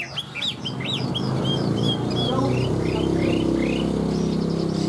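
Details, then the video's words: Tame caged Chinese hwamei singing: a run of loud, rising and falling whistled notes, several slurred upward, repeated briskly over a constant low rumbling background hum. "Chim họa mi thuần hót tốt"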